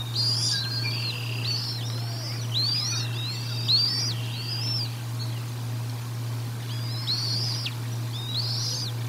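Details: Feeding time at the Decorah North bald eagle nest, 1 April 2022, on a livecam: clusters of high, bowed whistling chirps, several in quick succession, then a pause and two more near the end, over a constant low electrical hum.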